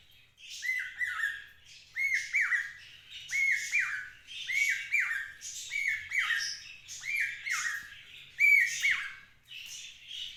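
A cockatiel repeats a falling two-note whistle copied from a cuckoo, roughened by raspy overtones.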